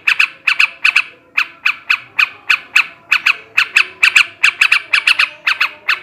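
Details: A male yellow-vented bulbul sings in the 'ngebrem ngekek' manner meant to raise breeding urge. Rasping, clipped squawks pour out in a steady run, several each second, with brief doubled notes and one short gap.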